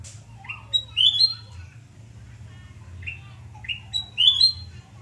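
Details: Morning song of a sooty-headed bulbul at home in Surabaya, recorded 29 November 2017: two quick bubbling whistled phrases with upslurred notes, about three seconds apart, over a steady low hum.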